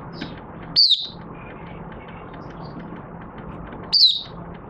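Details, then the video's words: Caged oriental white-eye after three months of cage-cover and night sleep training, recorded 25 August 2022 as it starts to sing: two isolated high, sharply down-slurred chirps about three seconds apart over a steady low hum. "Mata Puteh Raja Buka Sing"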